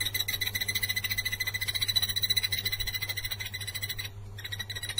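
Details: Blue-eared barbet, recorded 9 January 2021. Rapid, even series of short, knocking notes, about three and a half per second, steady in pitch, over a constant low electrical hum; it breaks off briefly near the end.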